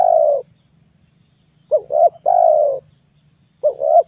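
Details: Low hollow coos of a spotted dove for luring doves: a long coo, then a phrase of two clipped notes and a drawn-out note, and another phrase starting, faint hum throughout.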